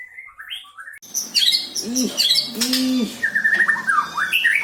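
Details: White-rumped shama (murai batu) song with mimicked lovebird and prinia phrases: soft whistled notes, then a dense burst of loud chattering and trilled phrases, with two low rising-falling hoots and a descending whistled series.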